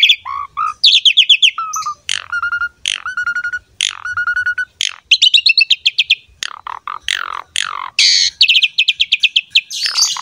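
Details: Singing Asian pied starling pours out a fast, unbroken medley of clear slurred whistles, harsh chatters and buzzy ringing notes, several phrases repeated two or three times.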